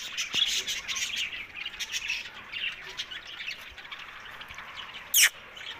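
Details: Rose-ringed parakeet, said to be talking while eating; a run of scratchy squawks and chirps in the first half fades to softer chatter, then one short, loud, harsh screech after five seconds.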